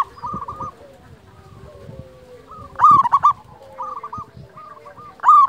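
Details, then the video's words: Local zebra dove used as a master recording to lure doves and rouse shy birds. Loud stuttering coo phrases come about every two and a half seconds, while other doves give softer trills in the background. "Masteran pancingan perkutut lokal alam suara istimewa besar"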